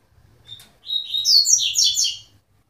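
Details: Coleiro singing: a short phrase of quick high whistled and slurred notes, rising then tumbling across about one and a half seconds, after a faint soft note and light background hum.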